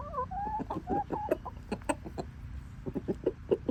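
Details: A rooster eating leftover bread he was fed makes a weird sound: a brief wavering, whiny note followed by a string of short, uneven clucks over a low background rumble.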